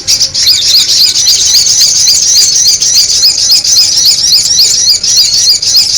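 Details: Noisy sogon bird call for luring, a steady stream of high, sharp, twittering notes, about three to four per second, continuing evenly throughout.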